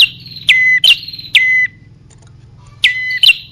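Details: Bar-winged prinia lure calls targeting male and female birds: loud quick couplets of a steep downslurred whistle and an upward chip, three in quick succession, a pause over a low hum, then one more pair.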